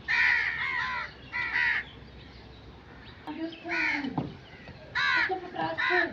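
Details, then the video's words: Crow giving repeated harsh caws in pairs and clusters, strong and hoarse, with faint low voices in the background between calls. "Crow sound effects"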